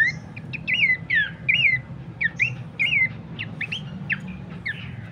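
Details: Lure and master song of Horsfield's babbler for training birds: separated looping whistled phrases, each curving up then down, about one per half second, fading toward the end against a low steady hum.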